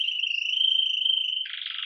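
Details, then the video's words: Red mosaic agate Belgian canary, live, opening the day with campainha song: a long smooth ringing trill on one pitch, then a sudden coarser rattling roll. "Canário Belga Ágata Vermelho Mosaico Canto Campainha"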